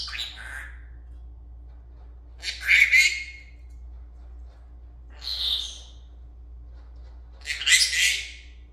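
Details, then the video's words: A pet Senegal parrot, talking and dancing, gives four harsh, raspy squawks about every two to three seconds, with a low steady hum beneath. "Senegal parrot talking and dancing"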